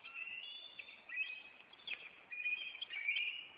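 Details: Bald eagles of a Maine nest pair call on April 26 amid an intruder chase, the male landing on a branch after flying at it. Dense, overlapping shrill whistles and chattering squeals run nonstop.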